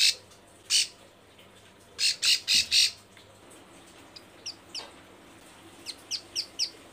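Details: Bar-winged prinia female in breeding condition calling males: isolated harsh buzzy notes, then a run of four rasping notes, followed by sparse thin falling chirps repeated about every third of a second.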